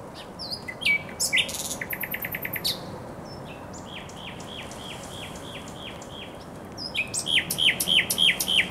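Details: Thrush nightingale singing in spring at the Żerań Canal, Poland, on 24 April 2022: loud repeated strophes of fast clicking rattles, a run of sharp descending whistled notes, then rapid ringing phrases.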